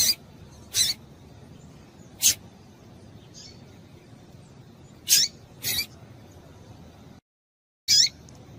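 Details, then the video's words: Female double-collared seedeater calling to stimulate males: six short, very high, sharp chips at uneven intervals, some up to a second apart, with a brief silent gap near the end. "Melhor Piado de Fêmea de Papa capim Para Esquentar Papa capim"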